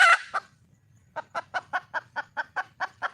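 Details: Red junglefowl hen calling to attract a male opens with a loud harsh squawk and a single cluck, then after a brief pause gives a regular, even series of short clucks, roughly five per second.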